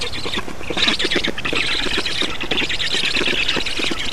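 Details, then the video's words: Estonian black storks at feeding time, 8 June 2019, give a rapid series of coarse, grating squawks. The calls pulse quickly and run together into a continuous raucous chorus. "Estonian Black Storks - Feeding"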